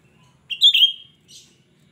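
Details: Lively Cucak rante lure song: a piercing whistled phrase, a rising note then a downward slide holding level before fading, followed by a brief faint twitter.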